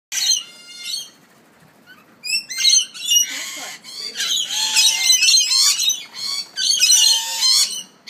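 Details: Lorikeets recorded during Hajj give shrill, harsh screeches and rapid chattering squawks in irregular bursts, several birds calling over one another.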